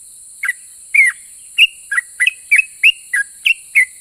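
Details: Song of a vocal yellow-vented bulbul that sets other bulbuls answering: clear whistled notes, mostly level or slightly rising, repeated roughly every third of a second after a hesitant start, with a constant high-pitched hiss behind.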